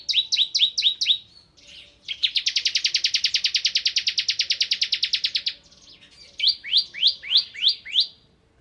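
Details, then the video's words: Bar-winged prinia singing in the energetic 'nembak ngebren' style: a run of fast down-slurred whistled notes, then a long rapid buzzy drilling trill of about three seconds, then further sharp slurred notes. "Suara Burung Ciblek Kristal Gacor"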